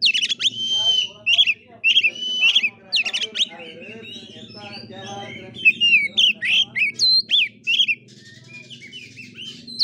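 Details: Oriental magpie-robin in fighting-style kura-kura song: ringing whistled notes with buzzy accents in short repeated bursts, a quieter chattering middle, then rapid clipped whistles, with a faint low droning hum throughout.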